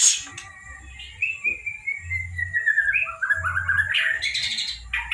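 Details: Young white-rumped shama at the speckled stage, from Lampung, giving a long, sliding whistle that descends slowly, then a burst of rapid warbled and harsh notes, over a pulsing low engine-like hum.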